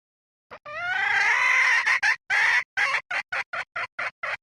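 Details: Red junglefowl hen call used as a lure, 2024 season: a long drawn-out harsh note followed by a run of short clucks, roughly two per second, slowing toward the end.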